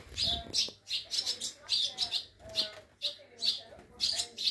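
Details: Rescued swallow nestlings at a rearing station in Scharzfeld, Harz, Germany, calling while being fed in summer 2022; shrill high chirps in short bunches roughly every half second, faint handling noises underneath.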